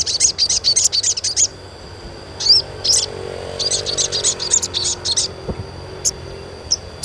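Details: Chirping from an Asian pied starling, meant as therapy to spur young birds into frequent song: a fast run of high, scratchy chirps, a pause with a couple of squeaky whistles, then another rapid chattering series and sparse single notes.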